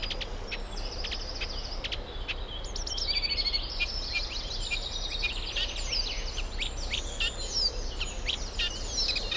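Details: Reed warbler, a summer visitor from Africa, singing at a UK nature reserve in spring; a long run of varied chirps, churrs and rising whistles over a low steady hum.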